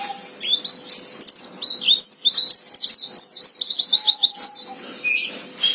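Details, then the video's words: Provoking fighter song of a white-eye: high, rapidly slurred whistles and chirps strung into a lively, continuous twitter, with a faint lower steady tone heard briefly twice in the background. "Suara Pleci Fighter Memancing Lawan Agar Cepat Nembak"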